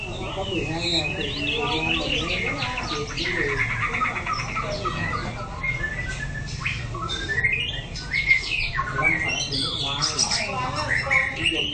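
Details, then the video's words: White-rumped shama in song practice, a long varied stream of trills, buzzy rattles and sharp slurred whistles that rise and fall, with faint background hum. "Chòe lửa hót luyện tập lực kéo lửa (shama bird)"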